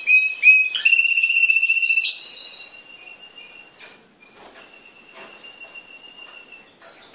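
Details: Yellow timbrado canary with black marking, born 2012 and schooled for contests, opens with a burst of loud warbled trills, then fades into a faint, long held note with soft rustling behind.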